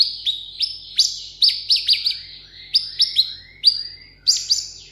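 A sunbird sings sharp, high, thin chirps and short down-slurred notes, about three per second in uneven bursts. No other sounds intrude.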